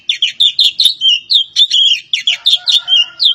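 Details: Javan pied starling from Java delivering fast, scratchy, chattering song phrases mixed with clear whistles, notes coming in quick bursts with short gaps between them.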